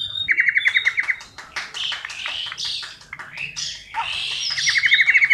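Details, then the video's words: Cililin singing a tight rolling song meant as tutor material for white-rumped shamas: a rapid stuttering trill, then a jumble of varied chirps and slurred whistles, closing with another fast repeated trill. "Masteran Cililin Gacor untuk Burung Murai Batu"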